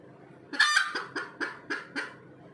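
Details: Egg-laying call of a red junglefowl: a loud, harsh double squawk followed by a run of four or five evenly spaced, falling clucks.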